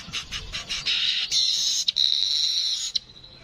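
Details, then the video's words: Streaked weaver (manyar kepala kuning) giving a few spaced harsh notes followed by a prolonged, high, buzzing sizzle with a thin whistled tone running through it. "Burung Manyar kepala kuning suara asli"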